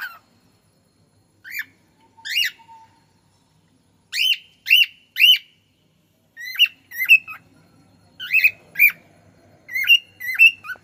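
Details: Cockatiel described as talking: short whistled chirps with sharp rising and falling contours and bright overtones, given singly and in quick pairs with brief pauses, over a faint low background hum.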